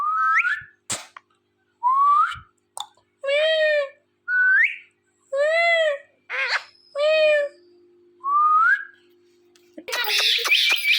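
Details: Pet ringneck parrot repeats rising whistles and arched, harmonic meow-like calls roughly every second, with a few clicks, ending in a loud rough burst of noise.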